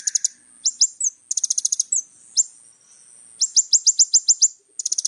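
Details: Vigorous little spiderhunter song recorded as training material for young birds: rapid high trills mixed with series of sharp downslurred notes at roughly seven per second, bursts separated by short gaps.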